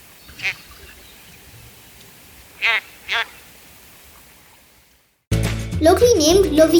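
Ruff giving three short, nasal, slightly buzzy calls: one alone, then a quick pair about two seconds later. Music takes over at the end.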